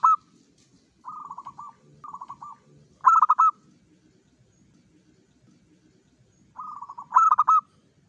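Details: Zebra dove, local type, singing eagerly as a lure for its own kind. Two soft purring coo phrases are followed by a loud, choppy stuttered phrase. After a pause the pattern repeats, a soft coo and then a loud stutter, in a quiet setting.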